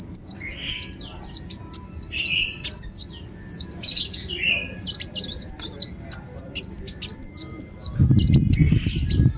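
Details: Ruby-cheeked sunbird (kolibri wulung) singing a rapid stream of high, thin, zigzagging squeaks, almost nonstop, with a few lower soft buzzes and a brief low thump near the end.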